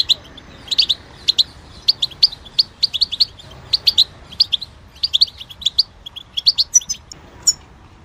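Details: European goldfinch singing, a bird noted for imitating other birds' voices; rapid bursts of sharp, high twittering notes and trills, clustered in quick runs with brief pauses between phrases.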